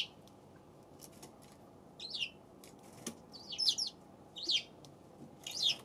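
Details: Eurasian tree sparrow, February 7, repeating bright high chirps in irregular succession, roughly five notes, some doubled, amid faint clicking sounds.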